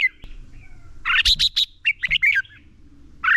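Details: A red-whiskered bulbul delivers its fighting song, used to train birds: a dense cluster of loud chirps followed by a twisting warbled phrase, with a faint low hum underneath.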